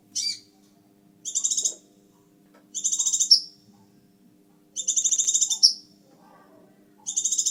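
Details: Scarlet minivet in full song, giving short high buzzy bursts that each end in a sharp upward flick, repeated roughly every one and a half seconds, with a faint hum underneath.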